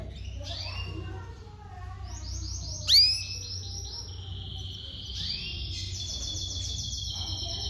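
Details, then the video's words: Domestic canary chicks begging while their mother feeds them: bursts of rapid, buzzy, high repeated notes and a sharp rising whistle midway, over a constant low mechanical hum. "a mamãe tratando dos filhotes de canário doméstico"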